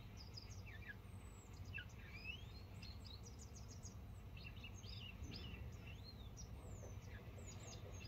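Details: Grey wagtail eating and singing: high, sharp chirps and quick twittering notes tumbling in bursts, over a steady low background rumble.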